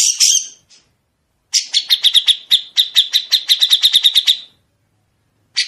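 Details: Tutor song of a grey-cheeked bulbul for caged songbirds to learn: a harsh rasping burst, a pause, then a long, sharp run of evenly spaced high chirps lasting about three seconds, ending in another rough note. Clean background.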